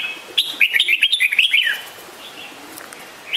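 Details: Red-whiskered bulbul uttering a fast, liquid phrase of about ten chirpy whistled notes, each swooping up and down, lasting just over a second and followed by near silence with faint distant notes.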